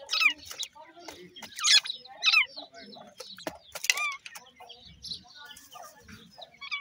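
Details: Grey francolin chicks fighting, India: excited bursts of shrill overlapping cheeps and squeals, loudest in the first four seconds, then softer scattered chirps and a few low thumps.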